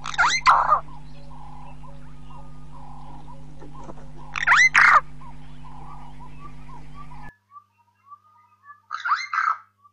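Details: Burchell's starling heard close by, giving loud, harsh, grating bursts about every four seconds, with soft squeaks and chirps between them. A constant low hum stops partway through.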